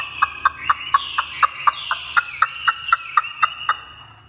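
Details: Tame, purebred captive Chinese hwamei singing well while let loose indoors: a steady series of short, sharp notes repeated about four times a second under a thin, slowly falling whistled tone.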